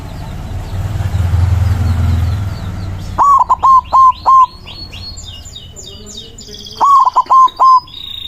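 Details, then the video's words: White zebra dove (perkutut putih) singing in loud manggung style, used as a lure to call rivals: after three seconds of low rumbling noise, two loud cooing phrases, each a rising note followed by short stuttering coos and a longer final coo, with faint chirps of other birds. "PERKUTUT PUTIH GACOR SUARA BESAR AMPUH MEMANGGIL LAWAN BUNYI MANGGUNG"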